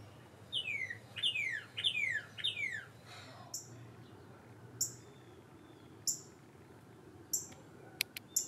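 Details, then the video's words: Cardinal singing its morning song near a bird feeder: four loud, clear whistles, each sliding steeply downward, about one every two-thirds of a second, followed by several short, high, thin notes. "CARDINALS SINGING MORNING SONG"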